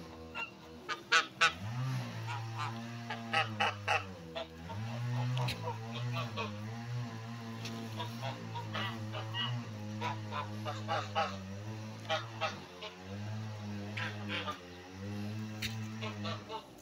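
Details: Low buzzing drone from a male turkey, its so-called song, rising and falling in repeated swells every couple of seconds, with sharp clicks and a man's voice softly praising the bird.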